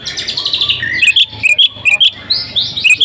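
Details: Agitated fighting song from an Oriental magpie-robin: a buzzy, harsh opening, then sharp whistled notes and high squeaks repeated rapidly, over a low background hum.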